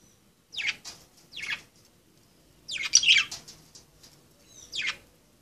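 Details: Budgerigars at play give loud, raspy chirps, first two in a row, then a denser burst of chatter, and finally one more call after a pause.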